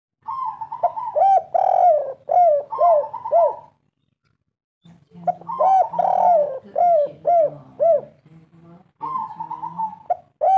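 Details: A wild, local spotted dove gives soft, hoarse three-note cooing phrases, repeated steadily with a pause midway, over a faint low hum; a natural call used to lure and prompt birds to sing.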